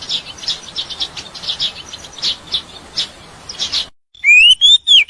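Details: Wild bird song: a busy background of many high chirps gives way to a loud, clear whistled phrase rising and wavering in short repeated notes near the end.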